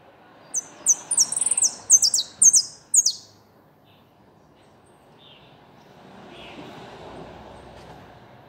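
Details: Goldfinch singing a fast burst of high, tinkling twittered notes for about three seconds, then falling silent while a soft low rumble of background noise continues.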